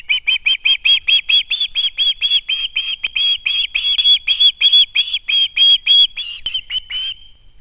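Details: Young ospreys begging at the home nest on a live nest camera, 12 August 2013, hoping to be fed by their parents: a fast, steady run of about twenty-five high, piping screams, each a short double-toned note.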